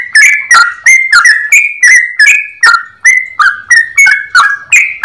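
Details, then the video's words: Yellow-vented bulbul in lively, clear-voiced ropel song, a fast run of sharp-edged liquid whistles that step up and down in pitch, nearly three notes per second, loud and close. "Trucukan gacor ropel panjang suara jernih"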